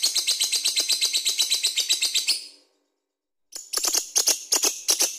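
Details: Lovebird ngekek song with a steady train of quick rasping chirps that trails off, a second of quiet, then louder, irregular sharp chirps and clicks return.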